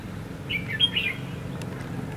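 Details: Red-whiskered bulbul decoy singing its fighting song during trapping on the first day of Tet 2016: one short phrase of rapid, slurred whistled notes, then quiet with low rumbling background noise.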